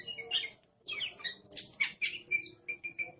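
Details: Aggressive Oriental magpie-robin (kacer) in noisy, rapid song: harsh chattering bursts, high whistled slurs and short repeated notes, with faint low background hum.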